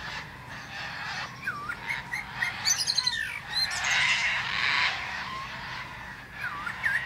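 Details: Male common blackbird perched atop a plum tree, delivering a rich run of looping flute-like warbles mixed with rapid squeaky twitters and a rushing louder middle section, then more mellow curling notes.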